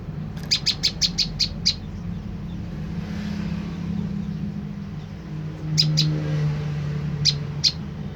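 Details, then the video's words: Prenjak lumut, the olive-backed tailorbird, calling as a lure to draw a reply: a quick burst of seven high chips, then quiet with a low droning hum, then scattered pairs of chips. "putar suara prenjak lumut ini dijamin prenjak stres//macet bunyi langsung nyaut"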